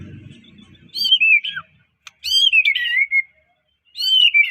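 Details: Medan white-rumped shama singing, kept to stir other shamas: high clear whistled phrases sliding downward, three bursts separated by short pauses, a brief click between them and faint low rumble at the start.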